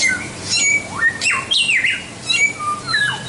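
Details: Samyong, the white-rumped shama, delivering a rich song of rising and falling whistles, a bright slurred sweep mid-phrase, and scattered high sharp notes.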